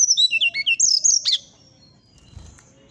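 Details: Brown-chested Jungle Flycatcher singing in the morning: a quick burst of high, sweet whistled notes sliding up and down for just over a second, then falling quiet.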